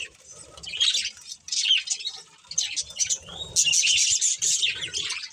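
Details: Pet budgerigars, a breeding pair, warbling in separate bursts of squeaky chirps and buzzy notes, growing louder and more continuous toward the end, with faint low rustling beneath.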